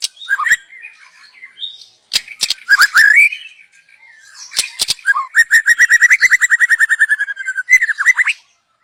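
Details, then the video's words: Young wild white-rumped shama from the forest singing as a lure recording: varied whistles and clicks, then a long rapid trill of repeated notes lasting over two seconds, ending in a falling whistle. "Kicau burung MURAI BATU Muda Hutan. Cocom untuk pancingan"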